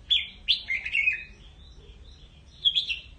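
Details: A red-whiskered bulbul calls the flock with a quick run of bright, slurred chirps that tumble downward in pitch, followed after a pause by a shorter pair of high notes.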